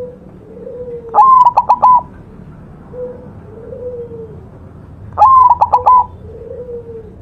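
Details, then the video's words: Actively singing white zebra dove, master song recording: two bright phrases of a rising whistle and rapid pulsed coos, with softer, lower drawn-out cooing notes heard between them. "perkutut putih masteran gacor"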